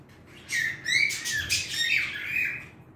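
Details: Short burst of song from a pet bird: after a half-second of quiet, a string of gliding whistled notes with rough, buzzy overtones, rising and falling over about two seconds.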